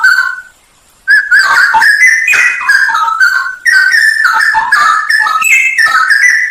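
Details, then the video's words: A Straw-headed bulbul sings a full 'isian nembak' masteran song: one clear whistled note, a second of silence, then a torrent of loud, liquid, warbling whistles with quick slurred rises and falls. "masteran cucak rowo full isian nembak"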